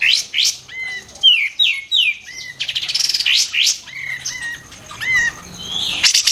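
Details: White-eared bulbul training song with loud, sharp bursts: high chirps, a trio of falling whistled sweeps, a fast buzzy trill, then paired rising-falling whistles and a final bright, high phrase.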